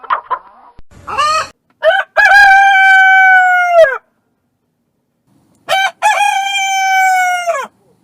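Two loud rooster crows about four seconds apart, each opening with short clipped notes and ending in a long, strained, drawn-out final syllable.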